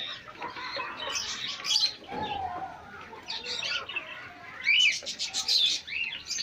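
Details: Domestic hens kept as pets meet young chicks; shrill peeps come in scattered groups, a quieter stretch in the middle, then a loud cluster of sharp rising chirps near the end.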